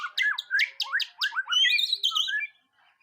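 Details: White-rumped shama's first mental test: a rapid series of upward-sweeping whistles and harsh notes, then a smooth warbled phrase that stops abruptly.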